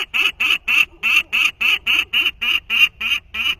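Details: Peregrine Falcon nestling at a 2023 nest, imitating its father's call for the first time after first hearing it only days before: harsh, scratchy notes repeated steadily about four times a second, twelve in a row.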